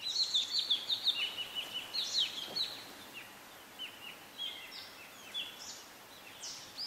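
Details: Kerala (Grey-breasted) Laughingthrush, a montane laughingthrush of the Western Ghats hills in southern India: a quick run of sharp, high, falling whistled notes, then softer scattered chirps and short slurred notes against steady background hiss.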